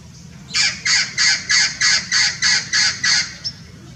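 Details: Blue-fronted x Red-crowned Amazon hybrid parrot, Irvine Regional Park, California, January 2018, in winter, giving nine grating, evenly spaced squawks in quick succession, then falling silent, with a faint low rumble underneath.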